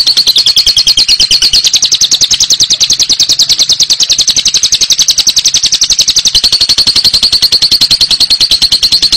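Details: Long ngekek song of a lovebird: a dense, rapid, high-pitched rattling trill that runs without a break, its pitch lowering a little toward the end.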